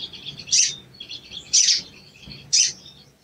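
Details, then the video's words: Provoking lure calls of a sooty-headed bulbul: three loud, harsh chirps spaced about one second apart over continuous soft, high twittering. "CUIT CUIT PANCINGAN EMOSI SOGON MACET BUNYI DAN KURANG GACOR"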